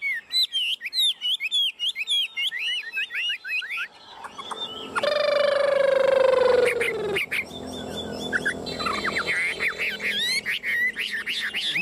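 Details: Tame caged Chinese hwamei on the afternoon of 27 June, singing nonstop and bobbing its head since its cover was removed: a rich, loud run of varied, rapid, rolling whistled phrases, broken midway by a long steady tone and a burst of noise.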